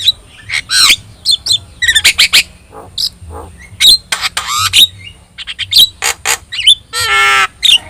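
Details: Javan myna (jalak kebo) with yellow eyes, an Indonesian song model for training birds; busy harsh squawks, dry rattles and whistled slurs in clustered bursts, ending with a grating buzzy note.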